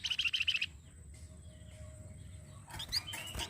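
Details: Flamboyan (little pied flycatcher) singing a master song used to train other songbirds: a fast, buzzy trill of rapid repeated high notes for under a second, then quiet hum, ending in sharp high chirps and scratchy notes.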